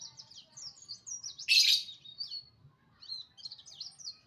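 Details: Oriental white-eye in morning song, quick high twittering phrases with a short loud harsh burst midway, then a brief pause before more thin, slurred chirps resume.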